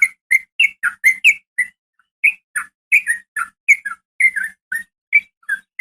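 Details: Calling to a male, a female yellow-vented bulbul gives short bubbly chirps, some rising and some dropping, roughly three per second, in an otherwise quiet background.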